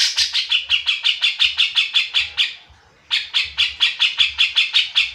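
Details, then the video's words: Grey-cheeked bulbul, locally cucak jenggot, delivering a long burst of rapid, buzzy chattering notes. A pause of under a second follows, then another equally fast run, about twenty-five notes in all. "cucak jenggot malas bunyi jadi gacor setelah dengan C.jenggot ini"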